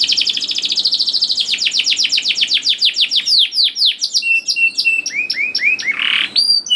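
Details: Canary singing to lure juveniles into song: a long accelerating trill of rapid chirps followed by varied whistled and rising notes.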